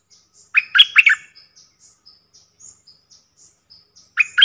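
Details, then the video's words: Decoy bulbuls, four caged birds from the real forest. A short burst of bright, rolling chirps is followed by a series of soft, high, thin notes from another bird. The chirping burst starts again at the end. "เสียงต่อนกดอกแตงEp.68 เสียงต่อจากป่าจริงๆ นกต่อ4ตัว!!! Suara merbah lekir gacor"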